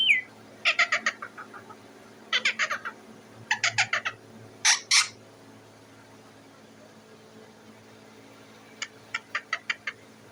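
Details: Parrot on top of its cage calling for food: rapid clusters of harsh, grating squawks, a louder double screech, a quiet gap, then a final run of short scratchy notes.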